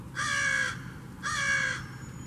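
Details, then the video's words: Crow giving one of the many calls crows use when communicating with others: two harsh, drawn-out caws, each about half a second long and spaced about a second apart, with a quiet background. "More About Crows: And Two of their Calls"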